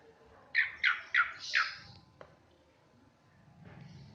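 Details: Asian pied starling imitating a person coughing, copying the cough after hearing it; four harsh, raspy bursts in quick succession over about a second, then a faint click and quiet room noise.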